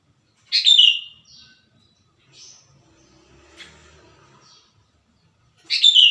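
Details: Sooty-headed bulbul song recorded in the wild, used to lure wild bulbuls and train birds to sing: two bright, rich warbled phrases about five seconds apart, with faint softer notes and low background noise between them.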